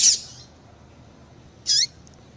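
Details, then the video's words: Female papa-capim (seedeater) call used to excite a male bird: two brief, high squeaky chirps, one at the start and one about 1.7 seconds later, separated by near silence with light hiss. "Piado de Fêmea de Papa capim Para Esquentar Papa capim"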